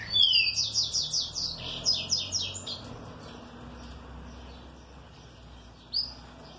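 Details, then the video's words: A well-cared-for kept green-winged saltator responding happily: a rapid run of about ten loud, sharp, downslurred notes, evenly repeated over two seconds, then quieter notes and one bright upslurred note near the end. "TRINCA FERRO MANDRAKE BEM TRATADO RESPONDE COM ALEGRIA"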